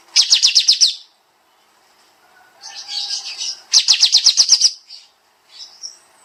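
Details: Kapas tembak bulbul singing densely in a songbird training master: fast machine-gun bursts of high repeated notes alternating with a softer warbled phrase and a brief faint chirp.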